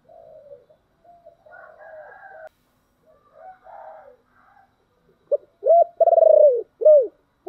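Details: Spotted dove decoy with a thick 'thổ'-style voice, calling to lure wild doves; after several seconds of faint distant crowing-like calls, a loud run of deep, arched coos, one drawn out and buzzy, ends the recording.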